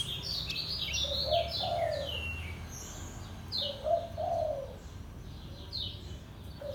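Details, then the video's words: Caged Lombok white-eye singing in the ngejos selow style: high, quick, downslurred twittering phrases, while a dove coos low and soft twice in the background. "SUARA KECIAL KUNING LOMBOK NGEJOS SELOW"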